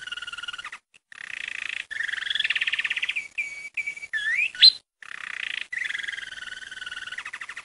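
A saffron finch sings in short bursts of buzzy, rapid trills and chips, mixed with sharp upslurred whistles, broken by brief pauses.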